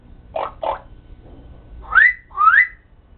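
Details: Talking pet parrot indoors gives two short voiced syllables, a pause, then two loud rising whistles in quick succession.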